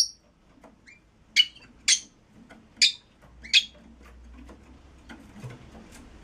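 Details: Red-rumped parrot, heard in a track for stimulating mating, giving four sharp, high chirps roughly half a second to a second apart, then softer faint notes.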